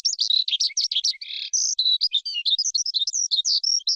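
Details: Forest skylark singing briskly: quick mixed chirps, a short buzzy note and a sustained clear whistle, then more fast varied twitters, alone and clear.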